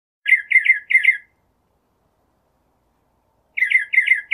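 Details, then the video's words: Northern mockingbird singing: a burst of four harsh, repeated chattering notes, a three-second pause, then another run of the same raspy notes. "Northern Mockingbird Song, Sound, Voice, Call, Melody - Sinsonte Canto - Mimus Polyglottos"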